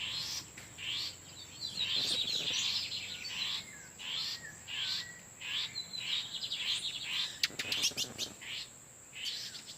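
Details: Lined seedeaters, called bigodinho, in the wild, with males exchanging song in the background while a female incubates nearby; bright, repeated chirped and trilled phrases high in pitch, a rapid burst of sharp clicks near the end, faint steady background hiss.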